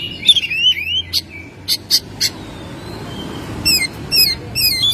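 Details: Home-kept Oriental magpie-robin in lively song: looping whistles and harsh scratchy bursts, then fast, high descending chirps repeated in quick succession.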